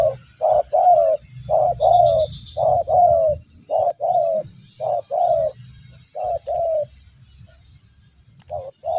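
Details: Spotted dove (tekukur) responding nonstop to a lure: a long series of deep, rounded coos in paired and tripled notes, about one phrase a second, with a faint insect whine and low background rumble.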